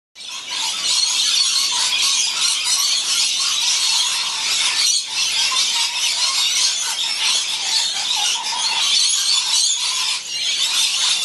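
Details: Many hungry lorikeets gathered in winter, June–July 2016, make a dense, unbroken chorus of shrill, screeching chatter, harsh and high-pitched, with only brief lulls.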